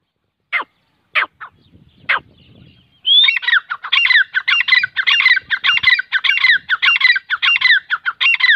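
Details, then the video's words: Francolin calling, kept as a hobby bird: a few sharp single notes, then after three seconds a rapid run of loud, harsh, grating phrases repeated about twice a second without pause. "teetar ki boli | teetar voice | teetar ki awaaz | teetar | francolin voice"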